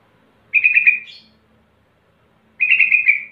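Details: Male Yellow-vented Bulbul calling a rival, used as a lure to get birds singing quickly in the rapid ropel style: two bubbly, warbled phrases about two seconds apart, each sliding gently downward, in a quiet background.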